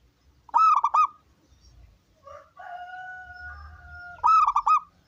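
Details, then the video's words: A local wild zebra dove (perkutut), used to lure other doves into calling, gives two bursts of rapid, rolling staccato coos about three seconds apart, with a steady drawn-out tone between them. "Perkutut lokal gacor || Masteran Perkutut Lokal Gacor Suara Besar"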